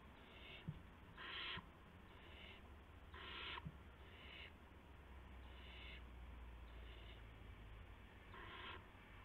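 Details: Owlets and adult owls during night prey deliveries, 19 March 2016; irregular breathy screeches, two loud and several softer, spaced one to two seconds apart, with occasional clicks and a continuous low hum.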